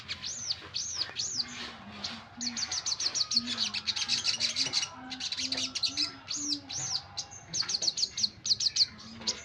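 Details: Energetic common iora song of repeated arched high whistles and fast twittering phrases, with a soft low tonal note recurring in the background.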